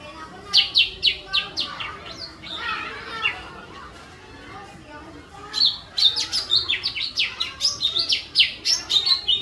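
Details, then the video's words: Bird song of the sharp 'tembakan' shooting style, used as training material for other birds: bright high chirps in quick bursts, a noisy rustling stretch in the middle, then a denser run of sharp notes near the end. "masteran burung tembakan jitu"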